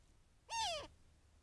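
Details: A young Cooper's hawk at a desert critter pond in mid-morning gives one of its repeated harsh, nasal screeches lasting about a third of a second, slurring downward in pitch against a quiet background.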